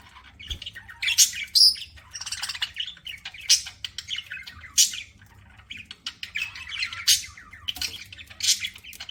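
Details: Budgerigar chirping while eating: busy, high scratchy warbles and sharp squeaky notes in quick irregular bursts throughout, loud and close, with no other clear sounds.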